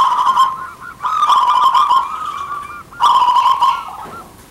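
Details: Local Indonesian zebra doves, male and female answering each other, kept as a lure for other doves: loud, rolling, warbled cooing notes in three bursts, each one to two seconds long, with brief pauses between.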